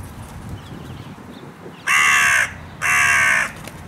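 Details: Carrion crow, part of a shouty wild pair fed nuts in a park, gives two loud, harsh, drawn-out caws about a second apart over low background rumble.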